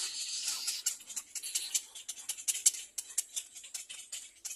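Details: Young little egret noisily biting its parent's bill while begging, giving a fast stream of harsh, hissy ticking notes and raspy bursts, rising and falling in loudness every fraction of a second.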